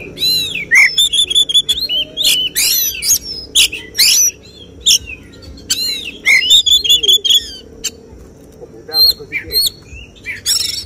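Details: Oriental magpie-robin singing 'tembakan' shooting phrases at a songbird competition, the kind judges target. Clipped downslurred whistles, buzzy rattles and sharp notes form a long varied sequence of separate bursts, with a faint low hum.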